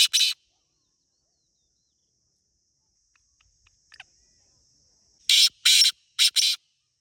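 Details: Black francolin (teetar) in the wild in Pakistan: one harsh call opens, then silence with faint ticks, then a phrase of four rasping, scratchy notes in quick rhythm.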